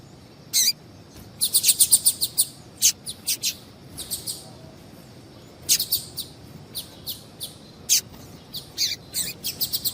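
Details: Female double-collared seedeater calls played to warm up males for singing tournaments: rapid, sharp high chips, some in fast bursts of several notes and others isolated, repeated across the whole stretch over light hiss.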